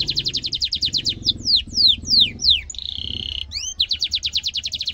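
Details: Canary singing a sharp rolling song used as a tutor for young canaries: fast trill, several descending swooping notes, a flat buzzy whistle, then another rapid trill; low rumbling background.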